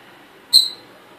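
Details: One brief, shrill squeak-like chirp from a hand-reared pearl-plumaged cockatiel indoors, clipped at the start and trailing off quickly, with steady faint background hiss.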